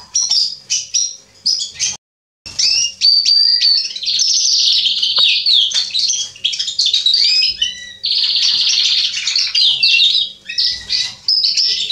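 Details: Male Atlantic canary singing, recorded 27 October 2020: a long, dense, fast twittering run of high chirps, trills and buzzy slurred notes, broken by a brief silence near two seconds, with a faint steady low hum beneath.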